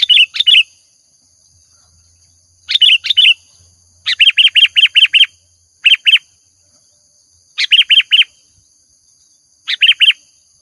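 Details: Lure recording of a sooty-headed bulbul (kutilang) singing vigorously: short bubbly phrases and runs of four to six clipped, evenly repeated chirps over ten seconds, with a steady high tone in the background.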